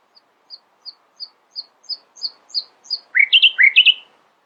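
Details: Nightingale song in the early morning: soft high pips repeated about three per second and growing louder, then two loud, rich, down-slurred chirping phrases.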